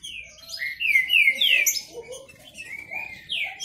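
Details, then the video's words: Green-winged saltator males in a song dispute. Long, smooth whistles slide from high to lower pitch in quick succession, followed by softer gliding notes and a final rising-falling phrase. "Esquente seu trinca ferro disputa e macheado"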